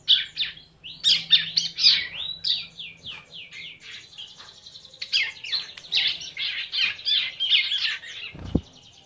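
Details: Hand-fed tame bar-winged prinia chattering in quick bursts of high, scratchy chirps with brief pauses between runs; a low hum early on and a single dull thump near the end.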